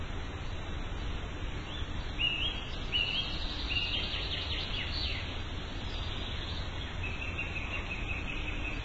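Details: Morning bird chirping in a natural setting: high, clipped chirps and short rising twitters cluster mid-clip, then fade to a thin sustained note, all over a constant low-pitched hum of environmental noise.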